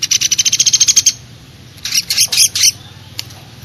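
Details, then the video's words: Eurasian tree sparrow sound, mixed with Java sparrow song: a fast run of about fifteen sharp high chirps in one second, then a pause and a looser burst of harsher chirping notes, with one last chip. "Burung gereja kombinasi platuk beras"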